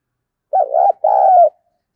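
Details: Lure-calling spotted dove, 'thúc bổi' style: a warbling first coo followed after a short gap by a longer, steady, mellow coo. The whole phrase lasts about one second, against a silent background.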